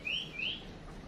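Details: Decoy call of a female chim chuyền songbird, meant to spur males to sing: two quick, clear upslurred whistles in succession over a low background hum.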